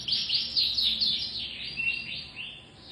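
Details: A canary in full setori song, pouring out rapid high warbling trills in quick bursts that rise and fall in strength, slightly fading at the end, over quiet background noise.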